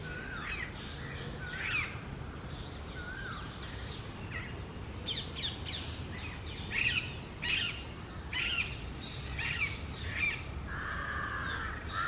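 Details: Female Alexandrine parakeet, locally called pahari tota, perched atop an almond tree: a run of loud, harsh, broadband squawks clustered midway, with thinner chirps and a slurred whistle from other birds around them, over steady low outdoor rumble.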